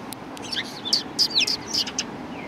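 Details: A brief flurry of sparrow chirps at a Tenmangu shrine on 1 March 2020, with quick high tweets and a few slurred, downward-sweeping notes close together.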